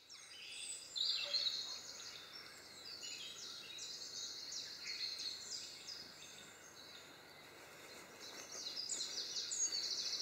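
European greenfinch song: fast, twittering high trills and chirps run together almost without pause, over a soft rustle of background noise.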